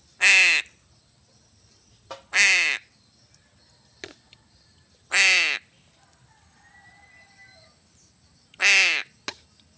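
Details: Crow being fed fish gives four short, hoarse, grating caws spaced about two to three seconds apart, with sharp clicks and taps between calls and a thin steady high whine throughout.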